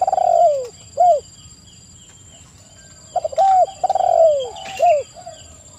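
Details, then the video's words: Spotted dove (tekukur) cooing as a lure: a long falling coo and a short arched note, silence, then a burst of clipped coos, another falling coo and a rounded final note. "TEKUKUR GACOR suara merdu"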